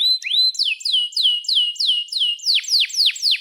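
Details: Canary in vigorous, long song used as a master for young canaries learning to sing: a clear whistled upslur, then sharp falling 'cuit' notes repeated about four per second, steadily spaced.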